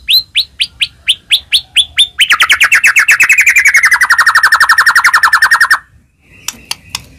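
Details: White-rumped shama singing as bait to make other shamas sing: evenly spaced sharp whistled notes, then a dense, very rapid trill that slowly drops in pitch, ending in silence and faint clicks.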